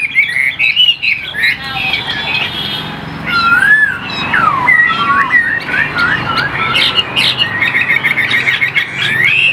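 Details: A caged hwamei in Vietnam sings varied whistled phrases: chattering notes, then loud swooping rising and falling whistles, and a final stretch of fast trilled notes.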